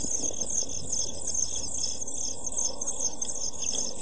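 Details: Seven-day-old European pied flycatcher chicks in a nest box, 23 June 2012, beg with a constant, thin, very high hissing chorus that pulses rapidly, over a low background rumble.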